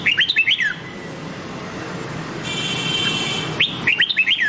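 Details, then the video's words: Red-whiskered bulbul singing a Nam Đông-style training song: a lively phrase of clear warbled whistles ending in a falling note, a pause with faint background hum, then the same phrase again. "Luyện Giọng Chào Mào Má Trắng Bằng Giọng Chào Mào Nam Đông Hay Nhất 2022"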